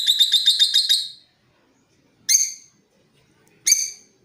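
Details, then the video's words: Creamino-colour lovebird giving a lure call of ngeriwik trilling and ngekek chattering, meant for tutoring other birds: a rapid, high, buzzy trill of about ten notes over one second, then two short harsh chirps over a second apart, quiet background. "Suara Pancingan Love Bird Paud Creamino"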